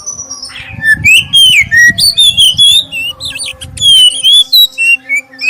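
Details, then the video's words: Clear-voiced black-breasted oriental magpie-robin song used to prompt others to sing: a quick run of varied whistles and chirps, about four notes a second, ending in a few softer whistled phrases. "suara pancingan kacer dada hitam suara jernih"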